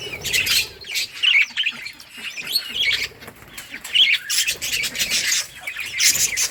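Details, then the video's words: Playing budgerigars in a colony, August 25, 2023: high squawky chirps and warbling twitters in uneven clusters, several birds calling over each other. "budgies beautiful colors playing and chirping sounds"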